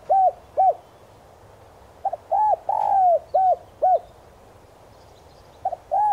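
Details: Cooing spotted dove kept as a decoy, voiced in the 'son' style to draw wild doves quickly. Soft, low, rounded coos in loose sequence, with one long sliding note midway and short paired notes around it.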